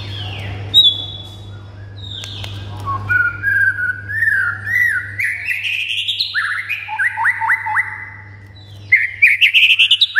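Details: A provoking song of a white-rumped shama, played to get quiet birds singing and worked up. Scattered high whistles give way to a long varied phrase of warbled, rising and falling notes, ending in quick sharp chirps, with a low hum beneath.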